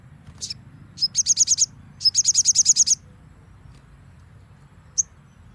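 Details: Crimson sunbird singing nembak for a training recording: a short harsh note, then two quick bursts of shrill repeated high notes, about six and nine, and a single chip near the end.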